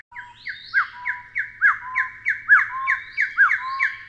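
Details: Endemic Taiwan Hill Partridge of dense mountain woodland and shrub layers, calling a steady run of loud upward-swept whistles roughly once per second, layered with a second bird's overlapping notes.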